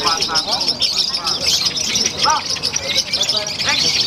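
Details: In a singing contest at Semarang, Indonesia, a wesi kuning lovebird pours out konslet song, fast continuous shrill chatter and twitters, while spectators yell and cheer close by.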